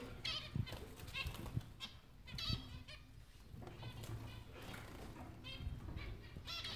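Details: Captive bulbuls at a breeding facility, during a release: bright warbled phrases burst out about once a second over a steady low rumble and scattered knocks.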